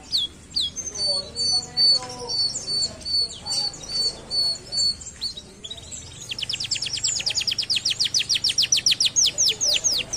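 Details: Canary singing to encourage lazy canaries: varied high whistled phrases and short chirps, then a long, very rapid series of descending sweeps, about four per second, in a quiet background.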